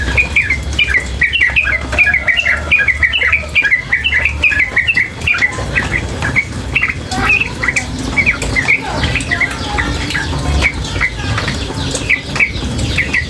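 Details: Female sooty-headed bulbul calling: a long run of short, bright chirped notes in quick series, then looser scattered chirps, over steady running water noise and faint low rumble.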